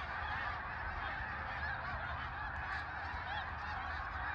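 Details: Massed snow geese on migration calling together: an unbroken wall of high, nasal barking honks from a vast flock, individual voices blurred into a constant din over a low background rumble.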